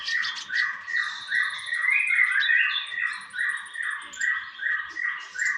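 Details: Konin master song: a steady string of rounded, repeated whistled phrases, about three each second, under a thin high trill.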